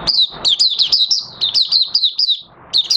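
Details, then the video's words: Caged oriental white-eye in open song after three months of night training with its cage cloth uncovered. It gives a rapid string of sharp high whistled notes, each dipping in pitch, repeated steadily for several seconds before a brief pause. "Mata Puteh Raja Buka Sing"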